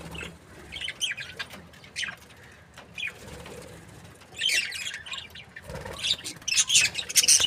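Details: Happy budgerigar breeding pair: faint sparse chirps with fluttering wing sounds, building to louder, rapid twittering chatter in the last seconds.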